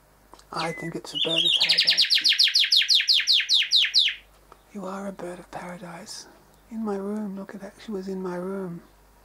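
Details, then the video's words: Rufous whistler male visiting bedroom and bathroom windows to look at his reflection, singing a loud fast run of ringing, repeated high notes that stop abruptly, followed by a woman speaking indoors. "The Rufous Whistler"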